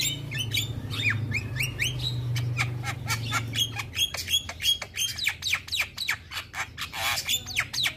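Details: Male Javan myna singing to provoke other mynas: a fast string of sharp chirps and rising whistles, then a series of harsh rasping bursts and a longer hissing screech, with a low hum early on.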